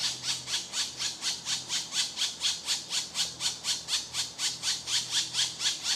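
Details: Hungry woodpecker chicks beg as their mother feeds them, with a steady run of harsh, high rasping squeaks, about two every second, with no other clear sounds.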